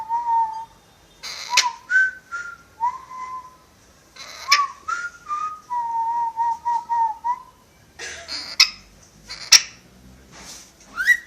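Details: Indoor pet parrot whistling tunes such as a marching song: clear tonal notes in a lilting sequence, a quick run of repeated even notes midway, then rustling clatter and a final rising whistle.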